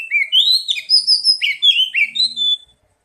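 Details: Song of the oriental magpie-robin, used as a lure to encourage singing: bright, high whistles and rising slurred notes in a rapid two-and-a-half-second phrase, then quiet.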